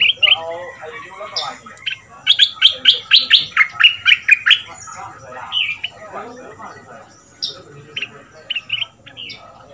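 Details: Fierce 'double' line dok taeng song of a caged southern Thai Red-whiskered bulbul decoy, two months in the cage, played to train young birds: a long, even string of sharp whistled notes, then looser chirps.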